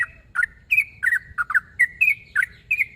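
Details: Yellow-vented bulbul calling a rival: a run of short, bubbly, slurred notes jumping up and down around the mid-high range, about nine phrases in three seconds, with faint low rumble behind.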